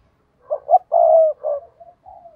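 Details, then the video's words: Spotted dove kept as a decoy for wild birds: a single hoarse phrase of two short coos, one long steady note, then softer trailing notes fading away. "Chim cu gáy mồi chuẩn thúc kích bổi nhanh nổi hiệu quả"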